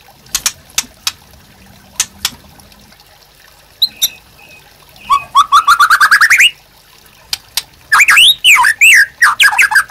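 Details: White-rumped shama master song for training caged birds: scattered sharp clicks, then a fast rising run of chirps climbing in pitch, followed by a dense burst of looping, warbled whistles.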